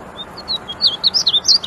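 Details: Wichita Mountains Wildlife Refuge, Oklahoma: a singing male painted bunting opens with a few thin, spaced notes, then accelerates into loud, sweet slurred warbling phrases, brief and high-pitched.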